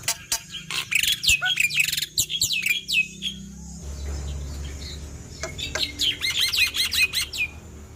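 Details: Male black-winged myna (jalak putih), singing to coax quiet mynas into song, pours out dense, irregular volleys of shrill whistles, clicks and chatter, broken by a short lull filled with low rumbling noise.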